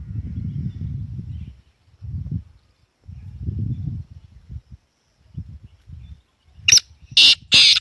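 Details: Black francolin calling with a burst of three harsh, raspy notes close together at the end, after intermittent low rumbling sounds.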